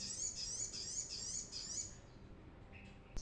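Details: Brown-throated sunbird song for lure training: fast high wavering twitters repeated about three times a second, fading after two seconds, then a soft chirp and a click.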